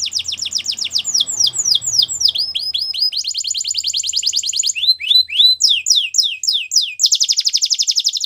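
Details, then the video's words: Belgian canary singing a training song, a continuous sequence of high tours: fast downslurred notes, an even rattling trill, then looping sweeps and a bright rapid trill at the end. "The Most Magical Canary Training Song | Belgian Canary"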